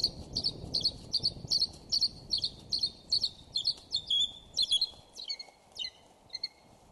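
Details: Bald eagle pair mating at the Decorah nest, Iowa, on 3 February 2012 at 11:05 in the morning: a quick run of high, thin chirping piping notes, about two or three per second, fading into a few softer, lower descending squeals, with faint low background rumble.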